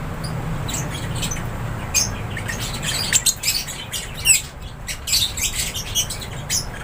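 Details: Several lovebirds kept in an aviary chirping in quick, sharp bursts, the calls growing busier toward the end, over a soft low hum.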